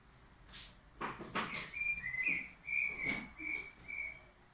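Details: Crested lark whistling a run of steady, clear notes repeated at a quick pace, accompanied by several knocking clatters early on.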